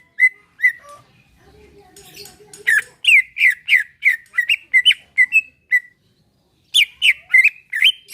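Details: A greater green leafbird's relaxed song for prompting other leafbirds. It starts with scattered whistles and a low buzzy chatter, then a dense run of slurred whistled notes, a pause, and a final burst of bright whistles.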